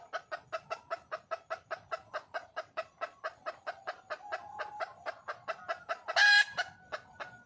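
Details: Red junglefowl hen, wild, calling for a male: a steady string of clipped clucks about four per second, briefly softer midway, capped by a loud grating squawk and a trailing thin note.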